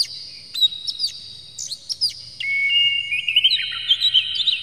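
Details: Oriental magpie-robin, tail spread and worked up, singing a lure song meant to set off other magpie-robins: scattered sharp high notes, then long pure whistles sliding and wavering, ending in warbled, falling trills.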